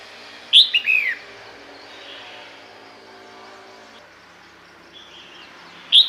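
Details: Female red-whiskered bulbul call meant to bring males over: a brisk descending chirped phrase, repeated once about five seconds later, over steady background noise.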